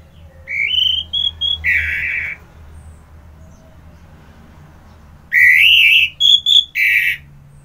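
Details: Orange-headed thrush in full song, two bursts of clear whistled phrases: short rising notes leading into a rough, buzzy trill, then a long pause and a brighter repeat with a noisy final flourish.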